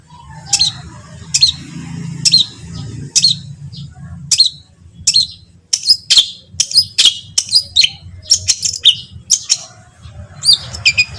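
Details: Long-tailed shrike song used to get other shrikes singing: sharp high chips spaced about a second apart, quickening into clustered clear whistled notes, over a low humming background.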